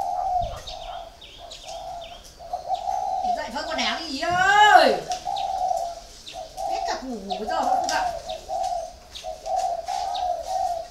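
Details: Caged spotted dove, four years in captivity, cooing in a steady run of low, rounded hoots, while a person speaks over the middle section and a small bird chirps faintly.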